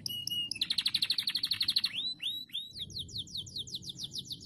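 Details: Canary song used to encourage other canaries to sing: a fast high trill of about twenty notes, then three upswept whistles, followed by a series of rapid descending chirps repeated several times a second, with low background hum.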